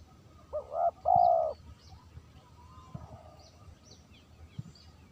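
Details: Spotted dove used for luring gives one clear phrase early, a brief rising note and a sustained coo, then fades into quiet background with scattered high bird chirps and clicks.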